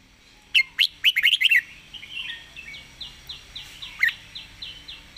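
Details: Red-whiskered bulbul delivering a rapid fast-beak song: a string of loud, slurred, quickly repeated whistles, followed by a steady train of softer, evenly spaced short notes and one more louder note.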